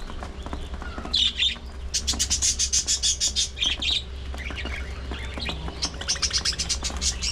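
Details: Early morning feeding time for parakeets: dense bursts of high, rapid chirping and squeaky warbling from several birds rise and fall over a steady low hum.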